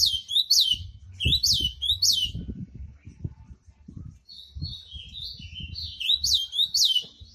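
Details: Ultramarine grosbeak, apparently a caged songbird, gives short, fast bursts of clear, swooping whistled notes with a pause between bursts; soft low thumps sound in the background.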